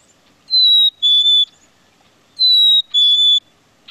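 Black-capped Chickadee giving two clear whistled fee-bee phrases, each a high pure note then a slightly lower one, about two seconds apart, against a quiet background.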